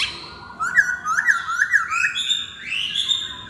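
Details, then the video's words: Short burst of masked laughingthrush song for a lure recording: a quick string of bouncing whistled notes followed by a rising, drawn-out clear whistle. "Pancingan Poksay Hongkong"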